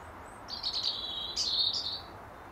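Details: European robin singing at dusk from an apple tree to hold its territory; one sustained, high, rippling phrase of rapid jingling notes lasting about a second and a half against quiet background.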